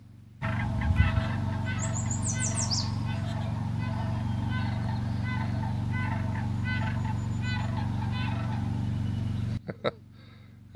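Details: Sandhill cranes in a small meadow below a camp in Idaho, in June, give rolling, rattling bugles that echo through the valleys, in quick repeated bursts over a steady low rumble, with a brief high chirp from another bird.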